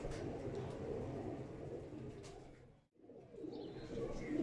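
An Imam Deen pigeon gives low, throaty rolling coos in a steady stream, breaking off briefly near the end before starting again, over faint indoor background noise.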